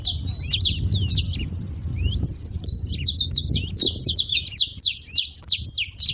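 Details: Group of saffron finches producing high, clipped chirps, sparse and scattered at first, then a fast steady string of metallic notes in the second half, with some low background murmur.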